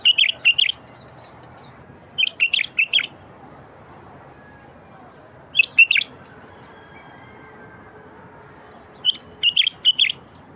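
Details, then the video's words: Wild-bulbul prompting song: repeated short phrases of two to four liquid, slurred notes, delivered in bursts roughly every two to three seconds, with quiet pauses between. "تغريد لفتح البلابل الوحشية الساكتة"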